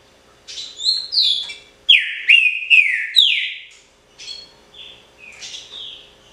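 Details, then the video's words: Pixarro-style song of a caged trinca-ferro (green-winged saltator): a gliding whistle leads into four emphatic downward-sliding phrases, followed by softer, shorter whistled notes. "TRINCA-FERRO PRECIOSO (PIXARRO ORIGINAL)"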